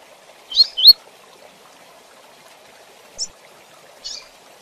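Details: Double-collared seedeater (coleiro) singing the 'Tui Tui Zel Zel' song style, used for teaching young males: a buzzy note, then two bright upslurred whistles, followed by two short high chirps after a pause, over a faint low hum.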